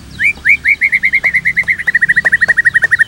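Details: White-rumped shama in a fast series of about twenty identical hooked, whistled notes, roughly six per second, slightly slowing and lowering in pitch toward the end, with faint clicks behind.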